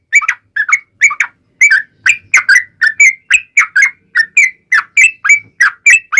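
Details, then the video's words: Yellow-vented bulbul song used as a lure to make other bulbuls answer: a fast, steady string of short bubbly whistled notes, each dipping and rising, about seventeen in six seconds, loud and clean with no other sounds. "SUARA trucukan gacor ROPEL PANJANG pancingan trucukan agar bunyi JADIKAN burung trucuk gacor NYAUT"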